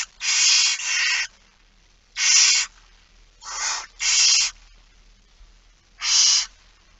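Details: Barn owl begging during feeding at 06:57 on 13 September 2019. Rasping, hissy snores, each about half a second, come in an uneven series of six, two of them run together near the start. The background is quiet.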